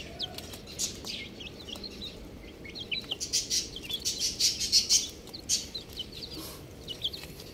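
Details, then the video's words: Chicks chirp busily, piling up many quick, high, falling peeps that swell into a lively run in the middle and thin out toward the end, with light scratchy sounds mixed in. "Beautiful Chick Sounds | Amazing Little Chick Chirping Sounds"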